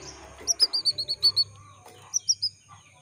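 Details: Female canary calling to males, used to stir males into singing: a quick run of eight high, sharp chirps, then a pause and three more chirps, with a faint low hum underneath.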